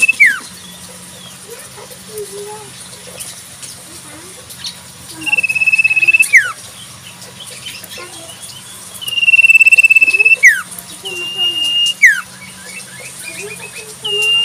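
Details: Common Iora in the wild repeating sirtu whistles, long level notes and steep downward slurs, amid busy lower chirps and clucking sounds from other birds.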